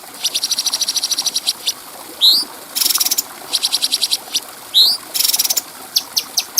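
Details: Bulbul singing clearly on a tutor recording for other birds. Fast trains of high, buzzy, pulsed chirps are broken twice by a sharp upswept whistle, followed by dense noisy bursts and spaced ticks at the end.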